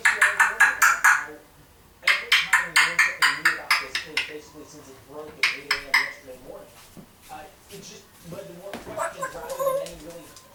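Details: Year-old female African grey parrot kept as a pet, babbling learned phrases at home; a fast run of clicking, knocking pulses at the start, then softer wavering speech-like chatter with tonal notes near the end.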